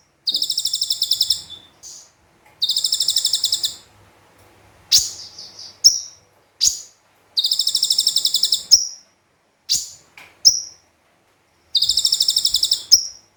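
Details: Konin (brown-throated sunbird) singing a combined song of mimicked phrases as a tutor recording, with several long high buzzy trills of rapid pulses broken by sharp whistled chips and short twittering notes.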